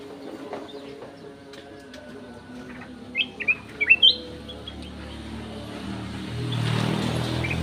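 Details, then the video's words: Golden-fronted leafbird in an aviary giving a brief burst of clear, high whistled notes, four quick slurred phrases in about a second, over a steady low hum, then a rush of broadband noise near the end. "BURUNG CUCAK EMAS SUARA JERNIH"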